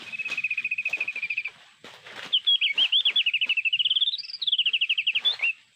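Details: Sulawesi mountain white-eye sound used as an MP3 lure for trapping with birdlime: a steady, even trill of high notes, then a longer run of rapid chirps that rise and fall, with faint clicks between.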